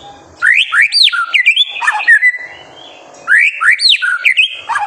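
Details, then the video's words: White-rumped shama song used as a master for young birds: a loud fluty phrase of looping, upslurred whistles and warbles, given twice with a short pause between. "MASTERAN MURAI BATU GACOR SANGAT COCOK UNTUK MEMANCING EMOSI MURAI BATU MUDA ATAU TROTOLAN AGAR CEPA"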